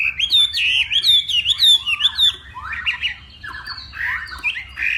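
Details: Morning contest singing by a Northwest Vietnam Hwamei. A strong wavering whistled phrase rises and dips repeatedly for two seconds, followed by rougher, quieter mixed notes.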